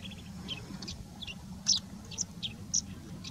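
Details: A male yellow-throated sparrow (bush sparrow) calls in short, high chirps about once a second at an uneven pace, over a low steady rumble. It was recorded during courtship season at Jorbeer Conservation Reserve, Bikaner, Rajasthan, India, on 23 February 2022.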